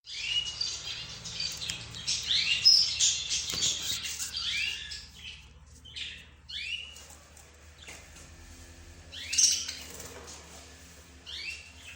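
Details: A mixed group of pet birds, including budgerigars, zebra finches and canaries, calling together. The chirps are bright and high, with rising and falling sweeps. They overlap densely at first, then come in scattered bursts over a faint low hum.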